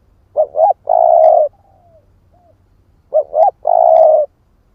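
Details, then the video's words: A spotted dove of the 'ức chẻ' type, used as a lure, gives two cooing phrases. Each is two short rising notes and then a long even coo, with a thin falling note and a small soft note between the phrases. "Tiếng chim cu gáy kích bổi"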